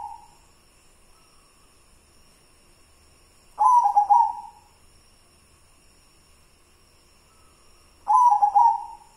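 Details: Local wild-type white zebra dove singing in the kidang Simbar manyura style. Two short, loud, burbling cooing phrases are separated by several seconds of near silence, with a faint low hum in the background.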